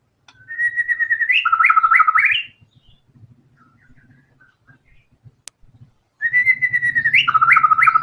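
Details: White-rumped shama singing hard with its full song material: two outbursts of pulsed whistles turning into fast, lower looping trills, separated by quiet low rumbling and a single sharp click.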